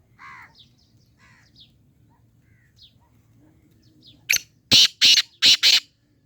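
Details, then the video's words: Black francolin calling: a burst of four loud, harsh, grating notes in quick succession near the end, preceded by faint scattered chirps of other small birds in the background. "کالا تیتر کی مکس آوازیں کالا تیتر کی بولیاں ہیں"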